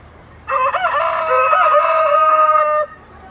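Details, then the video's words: A single rooster crow, loud and strongly harmonic, lasting over two seconds, with a wavering, stuttering start that settles into a long steady held note before stopping abruptly against a quiet background. "صوت صياح الديك"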